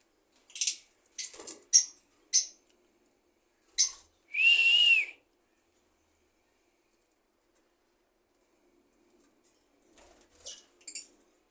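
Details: Pet budgerigar making a string of short scratchy clicks and chirps, then one loud arched whistle lasting about a second, followed by silence and a few soft chatters near the end.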